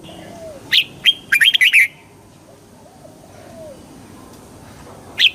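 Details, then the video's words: Red-whiskered bulbul singing to excite a bird: two sharp chirps lead into a brisk burst of bouncing whistled notes. Faint low whistles from another bird carry on behind, and a single chirp comes at the close. "เสียงนกกรงหัวจุก ชัด 100% เปิดต่อ ให้นกคึก"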